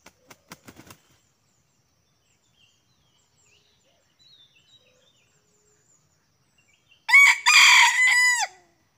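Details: Wild junglefowl lured by a hunter, with two birds arriving: a loud, hoarse, harmonically rich call lasting about a second and a half, its notes sliding downward at the end, preceded by a quick run of soft clicks and near silence.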